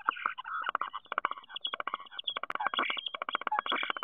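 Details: Nest-box common starling in Théding, France, 10 March 2023, delivering a dense, continuous rattling chatter of fast pulsed notes with a thin whistle running over it.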